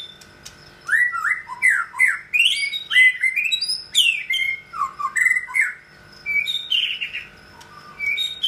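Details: Male white-rumped shama in his second molt, soon going into a third, still holding his form; loud, varied song of rich whistled and chattering phrases, sliding up and down, delivered in quick bursts separated by short pauses over a steady faint hum.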